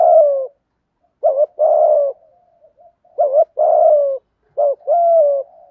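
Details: Spotted dove coo in giọng thổ thúc gù style, male and female birds included, to stir wild doves. Rapid phrases repeat about every 2 seconds, each a quick double note and a sustained falling coo.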